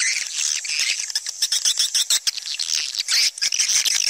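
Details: Swiftlets, in a recording of swiftlet calling sounds, chatter in a dense, high-pitched twittering, with rapid dry clicks and buzzy trills that run on without pause; no other sounds stand out.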